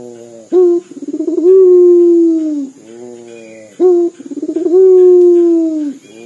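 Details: Local puter dove sings its crying-like dor call twice: each time a crisp short note, a rapid bubbling roll, and a long mournful coo that sags at the end, with a soft low hum between.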